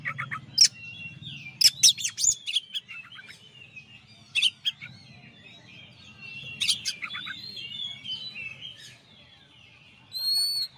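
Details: Champion Oriental magpie-robin, master recording: repeated bursts of piercing chirps and rapid falling notes mixed with wavering warbled whistles, ending in a long steady high whistle, with a low hum in the background.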